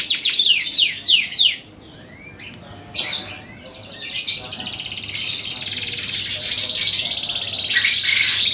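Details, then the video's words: Canary of the Kenari Darah Biru type singing: fast repeated downward-sweeping whistled notes, then a pause, then long rapid trills and rolling buzzy phrases held at high pitch. "Kenari Darah Biru"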